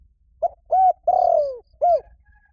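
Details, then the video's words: Lure spotted dove calling for a mate: a single phrase of short lead-in note, rounded coo, drawn-out downward-sliding coo and a final coo, soft and hollow with faint low background rumble. "CU GÁY GỌI BẠN | TIẾNG CHIM CU GÁY KÍCH BỔI NHANH NỔI HIỆU QUẢ, KÍCH 100% LÀ GÁY"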